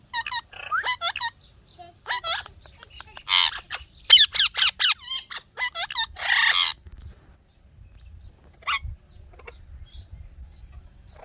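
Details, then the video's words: Rose-ringed parakeet giving natural chirping sounds: quick bursts of sharp, harmonic chirps, some rising and falling, clustered in rapid runs with short gaps, louder screechy notes near the middle, then scattered single chirps toward the end. "Ringneck Talking Parrot Natural Chirping Sounds"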